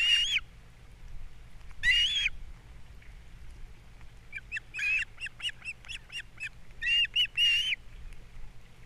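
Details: Osprey at a Captiva nest, morning of 3 April 2022, with fish brought in and the chicks being fed. Two separate shrill calls, then a broken run of piercing chirps ending in three loud whistled notes.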